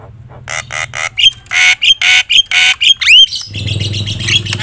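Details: Javan myna singing loudly to provoke other mynas: a string of harsh, raspy squawks alternating with short whistles, then a sweeping rising whistle and scratchy chatter over a low hum.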